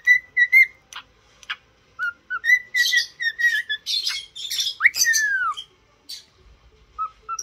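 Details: Cockatiel being trained to sing and talk, a pet bird: clear whistled notes near one pitch, repeated in quick bursts, then harsher squawky chatter and a swooping downward whistle, with short pauses between phrases.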